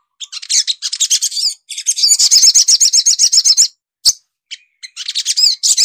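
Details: A Sogok Ontong sunbird (Burung Madu Srigati, Nectarinia), Indonesia, sings a fast, high run of thin chirps and twittering trills, about four notes a second, broken by short pauses.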